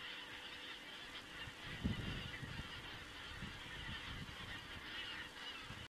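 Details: Geese on an Estonian crane webcam, 27 September 2017. A loud honk bursts out just before two seconds, followed by a run of lower calls, over a dense background chorus from a flock of geese.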